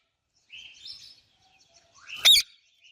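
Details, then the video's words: Indian ringneck parakeet kept as a pet, calling alongside an Alexandrine parakeet: a soft high whistled note drifting upward, a pause, then one loud, harsh, rasping squawk, then silence. "Indian Ringneck and Alexandrine Parrot Natural Chirping Sounds"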